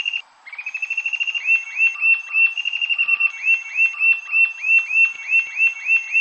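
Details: Rufous-tailed jacamar, a Brazilian bird, delivering long runs of sharp, high whistled notes at a steady fast pace, with overlapping phrases and slightly lower accented notes woven through.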